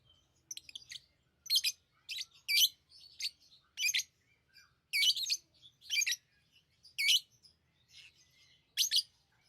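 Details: Chirping lovebirds: a steady run of loud, rasping high chirps roughly every half second to second, each a short harsh burst, with softer twitters at the start.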